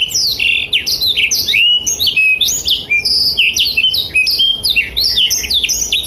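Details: Blackthroat in full voice, recorded as tutoring material for young and adult canaries: dense, continuous bursts of bright whistles and rising and falling slurs, sung almost without pause.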